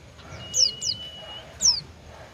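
An Oriental white-eye gives three very high, thin, sharply falling notes: two in quick succession, then one after a short pause, over a faint steady hiss.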